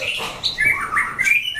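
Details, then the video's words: A caged white-rumped shama sings during a fighting test. It gives a short run of clear whistled notes, some rising and some slurred downward, in quick succession. "Chảo lửa test chim đấu (shama bird singing)"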